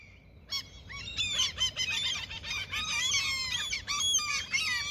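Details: Seagulls fed as a peace offering by someone fishing in their territory: after a faint start, a burst of loud, overlapping harsh yelps and squeals runs rapidly to the end.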